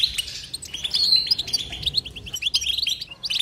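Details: Short burst of European goldfinch song: lively high chirps and a thin sustained whistle give way to rapid, bouncy twittering notes, each clipped and bright.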